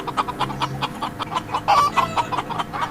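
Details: Chicken (Gallus gallus domesticus) clucking in a quick series of short, throaty notes, with faint music behind.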